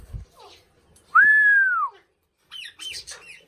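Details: Indian ringneck parakeet kept as a talking pet bird, giving one loud, clear whistle that rises then slowly falls over almost a second, followed by a short burst of high, scratchy chatter.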